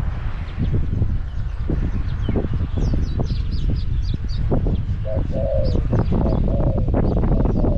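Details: Spotted dove, a caged decoy luring wild doves at Song Phi Nong, Thailand: a few low mellow coos late in the clip, a short note then a longer drawn one, over steady wind rumble and handling knocks.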